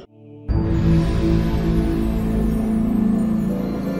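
Steady ambient music with sustained low tones and a sharp onset after a brief quiet start, with no animal calls.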